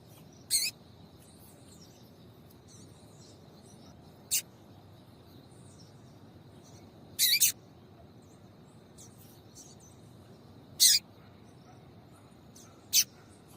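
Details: Double-collared seedeater female, a call played to get males singing and used in breeders' female-call tournaments. Six scattered short, high, rasping notes over 13 seconds, one doubled, with faint chips between.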